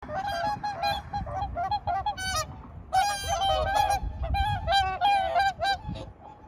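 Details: Swans calling in a dense chorus of nasal, trumpeting honks, many overlapping and repeated rapidly, some short and clipped, others drawn out, with a low rumbling background throughout.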